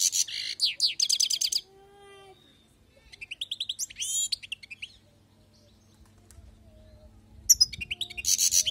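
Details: Song of a wild-caught European goldfinch: three bursts of fast, liquid twittering mixed with buzzy trills, separated by short silences, in an otherwise quiet setting.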